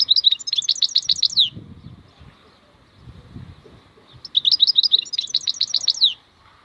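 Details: Wild European goldfinch (maknine khalwi) delivers two fast, high, rattling twitter phrases about three seconds apart, with faint low rustling in the gap.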